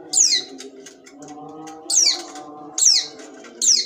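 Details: Long-tailed shrike, sembur-style song: loud, harsh, high notes sweeping steeply downward, repeated roughly once a second, with a few soft chips between them and a constant low hum behind.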